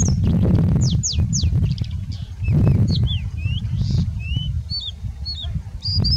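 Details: Singing bushlark song with much mimicry: varied high slurred whistles, some falling steeply, others short upswept or downslurred notes, scattered through the phrase, with loud low wind rumble underneath.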